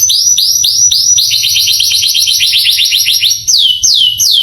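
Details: Canary song for stirring young canaries to sing: slow falling whistles, then a fast rolling trill of short notes, closing with three loud, clear downward-sliding whistles spaced a third of a second apart.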